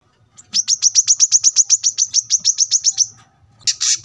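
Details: Brown-throated sunbird (kolibri kelapa), recorded as masteran to train cage birds: one clean high trill of about twenty evenly repeated ticks lasting some three seconds, then a short harsh burst, over a quiet background.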